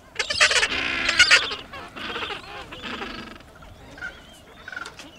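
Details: Gentoo penguins at Orne Harbor: loud, harsh, honking calls rich in harmonics in the first two seconds, followed by quieter braying and faint calls from other penguins nearby.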